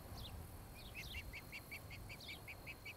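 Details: Osprey at a nest near Charlo, Montana, recorded by a nest camera on 26 July 2018 in the late afternoon; a steady run of short, high chirps about every quarter second, with a few thin falling whistles and low background rumble.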